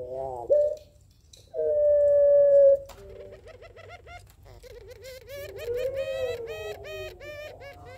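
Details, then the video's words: Barbary dove (puter pelung) calling back and forth with a rival: a short rising coo, a long steady drawn-out note, then a run of quick wavering coos in a small room. "Suara Puter Pelung Saling Sahut Memanggil Lawan"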